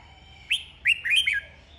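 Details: Red-whiskered bulbul duelling in song: one quick phrase of bright, rising whistled notes, the last ones run together into a fluty flourish.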